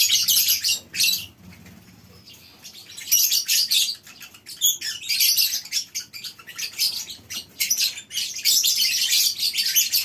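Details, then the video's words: Morning at a colony aviary of a lovebird breeding farm: after a short quieter spell, the flock resumes a dense, shrill chatter of quick high squeaks and chirps. "Suara Love bird"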